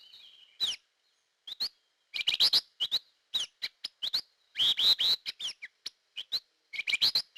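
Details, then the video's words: Hair-crested drongo lure calls: a varied run of short upslurred whistles, harsh chattering bursts and metallic notes in irregular clusters, with brief pauses between phrases. "Suara Pikat Burung Gentolang / Srigunting Kantil"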